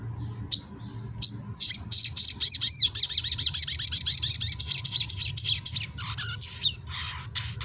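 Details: Brown-throated sunbird song, used as a stimulus recording to get quiet captive sunbirds to sing: a rapid, high, twittering stream of sharp chirps and short trills, about four notes a second, after a few scattered opening notes.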